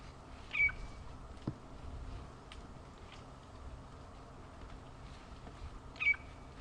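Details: On an afternoon safari drive on 21 September 2015, a fork-tailed drongo near a buffalo herd gives two brief, high, slightly metallic tweets about five seconds apart. The drongo follows herds for disturbed insects. Steady outdoor hiss and faint clicks.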